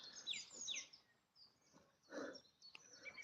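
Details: Songbirds in a local woodland in Devon, England, on a damp morning brightening after drizzle, give quick high chirps and thin sliding notes, two bright calls near the start, with a soft rustle midway.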